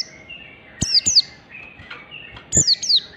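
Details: High, sharply falling twin chirps, given twice, from a standard-style wild oriental white-eye meant to prompt other birds to sing, with softer, lower thin notes and a clicking sound in between.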